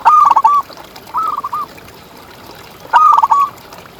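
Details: Champion local zebra dove song: a loud stuttering coo phrase, a softer echoing phrase a second later, then another strong rolling phrase near the three-second mark, over faint background hiss.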